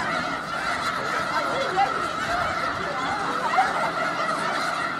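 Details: Close view of a huge snow goose flock in Skagit County, Washington: constant clamour of overlapping honking voices, a few sharper calls rising briefly above the steady din.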